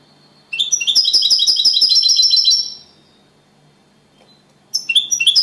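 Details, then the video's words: European goldfinch, a runner-up singing champion, giving copia Malaga style song: a bright buzzy trill of evenly repeated high notes lasting about two seconds, then a pause before a new twittering phrase begins. "Jilguero cantando Limpio 🥈 (campeón el segundo) Copia malaga / goldfinch champion of singing"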